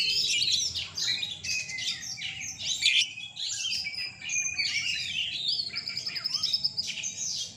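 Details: Night songbird contest in Surabaya, Indonesia, with caged Oriental magpie-robins (kacer): rapid, busy high whistles and chattering trills pour out continuously, several voices overlapping over a faint low hum.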